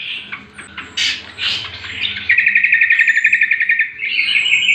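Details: Greater green leafbird (cucak kombo) lure and master song for other birds: scattered chirps and loud bursts open into a long, fast, evenly pulsed trill, which ends with a higher buzzy run.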